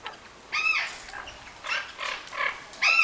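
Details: Orange-winged amazons bathing at a bird garden by Lake Balaton, Hungary, give harsh, nasal squawks with buzzy overtones, about four bursts in three seconds, mixed with softer chatter.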